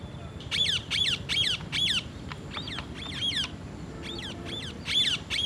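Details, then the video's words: Parrots, one eating an apple among others, deliver a rapid series of harsh, buzzy squawks, each falling in pitch, in clustered bursts throughout. "Parrot Eating Apple and others parrot natural sound"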